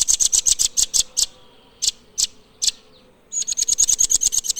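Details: Blue nuthatch delivering a quick series of bright, high-pitched staccato notes, then a few well-spaced single chips, followed by another swift, evenly pulsed trill; soft thin calls faintly in the background.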